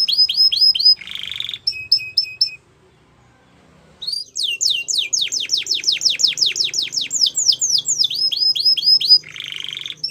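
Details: Belgian canary singing in phrases: quick repeated chips and buzzy rolls, a short pause, then a long run of rapid descending notes ending in chips and a buzzy roll.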